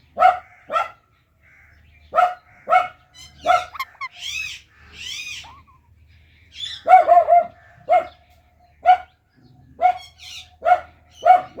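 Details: Indian ringneck parakeet, a talking parrot, uttering short clipped chirps repeated at irregular intervals, broken by a cluster of wavering arched squawks and louder bursts near the middle.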